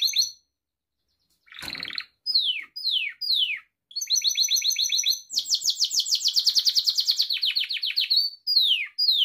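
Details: Gloster canary training song from a pet bird: a brief buzz, a series of separate falling whistles, staccato chips, then an extended fast rolling trill of many pulses, closing with more downward whistles.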